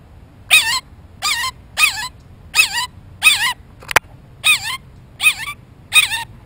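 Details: Blue jay recorded very close to the microphone while looking for a peanut. It gives its loud "squeaky toy" call: eight bright, wavering squeaks, each bending up then down, spaced under a second apart, with one sharp click midway.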